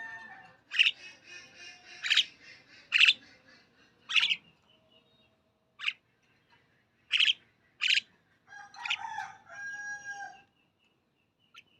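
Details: Myna giving harsh, broadband chirps and squawks in short bursts: about seven loud, abrupt notes spaced irregularly over eleven seconds with quiet gaps, then fainter rasping, chattering notes toward the end.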